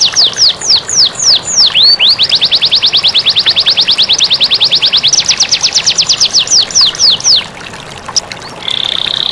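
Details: Canary master song used to prompt lazy canaries into singing, with flowing water added. A series of clear, high, down-slurred whistles leads into a long, fast, even trill. A faster trill follows, and a brief buzzy note closes the song.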